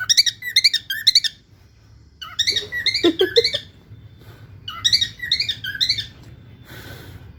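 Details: Lutino cockatiel singing in bursts of bright, warbling whistles with quick squeaky notes.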